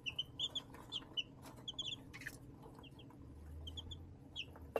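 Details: Baby chickens in a backyard brooder tote warmed by a heat lamp, peeping in bright short chirps, some paired, with a low electrical hum beneath.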